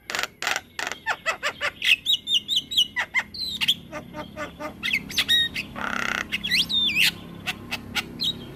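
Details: Javan myna in long rolling song for tutoring other mynas: rapid clicking ticks, a run of repeated whistled notes, harsh screeches and twisting whistles, busy and continuous for the whole stretch.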